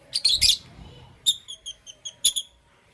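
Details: Morning chatter of lovebirds, Parblue Euwing green opaline and green opaline: a loud harsh burst of chirps, then a row of short clear high tweets at even spacing, ending in a double chirp.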